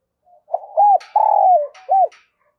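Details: Spotted dove decoy call used to lure wild doves: a low cooing phrase of a short coo, a long drawn middle coo and a clipped final coo, with faint brief higher clicks between notes.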